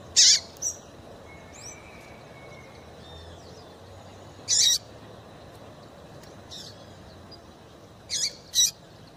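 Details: Female double-collared seedeater call used to excite males: bright, high chirps widely spaced, several seconds apart, ending with a quick double chirp, against a soft background hiss.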